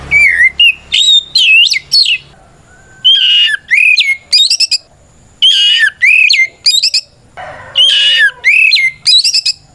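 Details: White-rumped shama song used to call out rivals and make other shamas answer; bright whistled and looping phrases, some harsh buzzy notes, delivered in bursts with short silent gaps.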